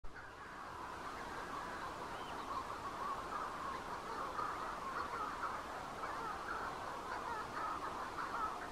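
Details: Manx shearwaters calling at night near the bird observatory on Bardsey Island, a dense, unbroken colony chorus of harsh, crowing cackles from many birds overlapping, with no pauses.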